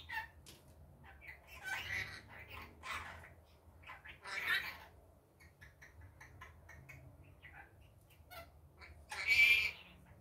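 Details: Daytime rainbow lorikeet producing scattered harsh chattering notes and occasional louder grating screeches, the loudest near the end.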